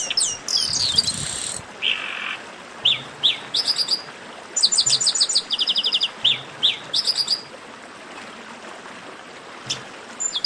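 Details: Chestnut-capped blackbird with harsh buzzy notes and a lower rasp at the start, then rapid stacked chirp trills and sharp slurred whistles in irregular bursts across a quiet hissy background.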